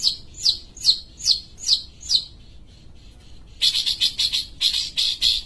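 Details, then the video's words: ['Sumatran long-tailed shrike (cendet) in vigorous song. A series of quick, sharp downslurred notes comes at an even pace, then a short pause, then a dense burst of harsh, buzzy notes.'] "Pentet sumatra gacor"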